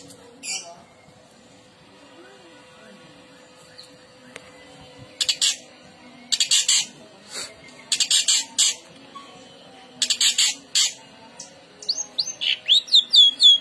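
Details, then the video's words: A long-tailed shrike gives loud grating bursts after a quiet start, then quick downslurred whistles near the end, meant to make other shrikes respond and sing. "Cendet Manapun Pasti Ikut Nyaut Dan Gacor,Masteran Cendet stres pasti ikut bunyi"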